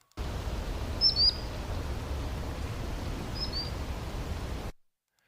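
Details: Common Sandpiper migrating at night, recorded at about 3:30 in the morning: two short high thin calls, the first a quick double note near one second, a fainter pair around three and a half seconds, over steady low rumbling background noise.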